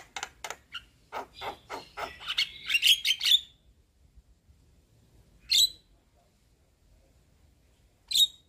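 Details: White-eyed Javan myna chattering as a lure for a myna that has stopped singing. Clicking notes speed up into a rough, squeaky flourish, followed by two isolated harsh squawks spaced apart.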